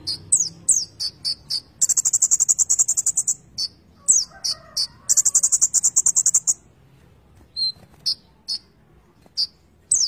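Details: Konin, a Van Hasselt's sunbird, delivering full gacor isian song: rapid downslurred chips, two long rattling buzzy trills, then sparser high sharp notes.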